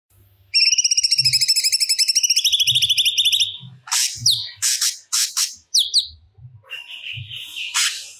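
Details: Actively singing crested jay (cucak cungkok), recorded to train other songbirds: a loud, fast mechanical rattle of about three seconds, followed by harsh chack notes and squeaky whistles.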